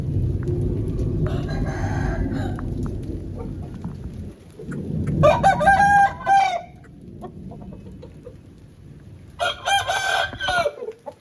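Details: An Aseel rooster, recorded after rain, gives two loud, hoarse crows, each a drawn-out rising then falling phrase of about a second and a half, over a low background rumble.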